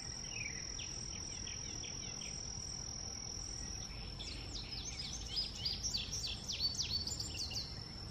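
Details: Indigo bunting opening with faint, lower chirps, then after a pause a loud burst of sharp, high slurred notes tumbling quickly up and down for about four seconds, with a constant thin high whine behind.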